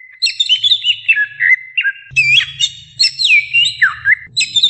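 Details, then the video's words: Cucak ijo singing ngoceh-style to stir up novice birds: sweet whistled notes wavering and dropping in pitch, broken by a brief gap, then louder, looping phrases with sharp upward and downward sweeps over a faint low rumble. "SI CUCAK IJO NGOCEH MEMBANGUNKAN CUCAK IJO PEMULA"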